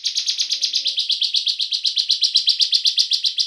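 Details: Bar-winged prinia song used as a lure to make other bar-winged prinias sing: a long, rapid train of sharp, buzzy chirps, about five per second, steady and evenly spaced throughout.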